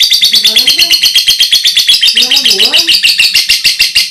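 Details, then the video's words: Lovebird giving a loud ngekek, a long chattering song, as a tutor recording for training other birds: rapid, harsh, evenly pulsed high chirps, about 100 a minute, unbroken throughout, with two brief low wavering voice-like sounds in the background. "love brid ngekek suara keras"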